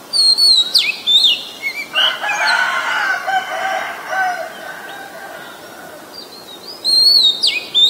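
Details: Oriental magpie-robin singing in Ubon Ratchathani, Thailand, 23 December 2019, captured on a Nikon P1000; sharp high whistles and swooping slurs open and close the passage, with a long rooster crow filling the middle.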